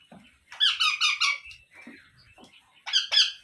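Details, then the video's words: Baby parrot kept as an Indian pet, indoors, uttering loud nasal squealing cries in a short series of four, a pause with soft noises, then two more squeals. "Parrot Natural Sounds Compilation |Baby Parrot Sounds"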